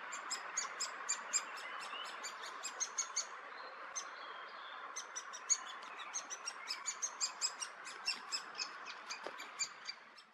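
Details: Great spotted woodpecker feeding young birds, Hannover region, June 2022: sharp, high, ticking notes repeated several times a second in an almost continuous chatter, over a steady soft hiss.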